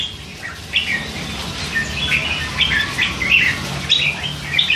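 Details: Three-month-old hand-fed red-whiskered bulbul chattering, short warbled and chirped notes repeated irregularly, about a phrase every second, fairly quiet.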